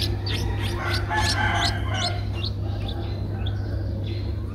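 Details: Streak-eared bulbul chick aged 11 days, eyes open since day seven, Ubon Ratchathani, Thailand, April 2023: quick high chirps crowd the first two seconds, then thin out, with background hum throughout.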